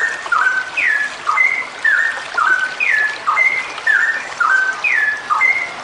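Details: Steady, looping song of a female straw-headed bulbul in long 'ropel' style. Clear falling whistles and level notes alternate in a quick repeated phrase over a soft hiss.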